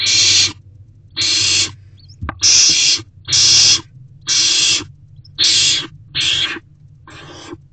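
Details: Owls inside a nest box at 8:26 pm on 16 March 2024, when a mouse arrives. Eight harsh hissing bursts, each about half a second long, are spaced unevenly. A sharp click sounds early on over a low background hum.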